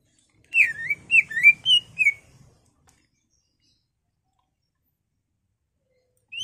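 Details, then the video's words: Greater green leafbird (cucak ijo) singing to stir caged birds into song; a quick burst of about six loud, looping whistled slurs within two seconds, then silence, with one rising note at the end. "CUCAK IJO GACOR EMOSI BONGKAR ISIAN NGENTROK/ PANCINGAN CUCAK IJO BIAR EMOSI"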